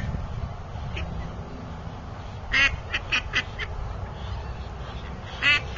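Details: A duck kept with a mottled drake, quacking and grumbling. A loud burst of four or five harsh, nasal quacks comes midway, with another single quack near the end, over a steady low background hum.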